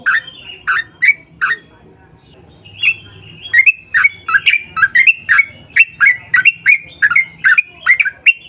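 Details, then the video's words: Yellow-vented bulbul in long chattering 'ropel' song, used as a lure to make other bulbuls sing back: bubbly gurgled notes, a few phrases, a pause near two seconds, then a fast steady run of rising and falling phrases. "KICAU SUARA trucukan gacor ROPEL PANJANG pancingan trucukan agar bunyi MENJADIKAN trucuk gacor NYAUT"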